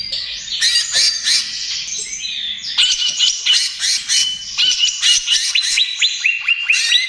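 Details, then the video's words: Greater green leafbird singing in trotol style, offered as a lure and therapy for other birds. Harsh chattering bursts alternate with clear whistles, ending in a string of quick rising notes. "SUARA CUCAK IJO TROTOL GACOR, AMPUH UNTUK PANCINGAN DAN TERAPI"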